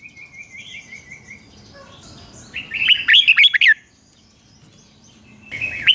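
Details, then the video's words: Red-whiskered bulbul morning training song in 'ché' style: faint repeated whistled notes, then one loud burst of rapid warbled notes rising and falling, silence, and the start of another phrase. "Luyện chào mào hót sáng, QUÁ HAY - CHÉ KÍCH BỔI CĂNG ĐÉT, Cách luyện chào mào hót căng lửa"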